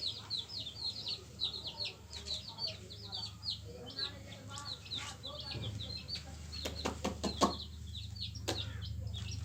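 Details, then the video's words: Yellow hen chicks chirp with high, scattered peeps against a heavy low hum. Sharp clicking knocks cluster toward the end, and the peeps grow sparser as the noise rises. "Hen Chicks Colour full Yellow Baby Of hen Chirping Sounds"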